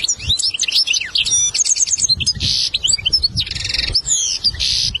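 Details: Goldfinch lesson song meant for a young bird to learn: a continuous stream of chattering twitters, quick trills and repeated buzzy notes, with low rumbling thumps in the background.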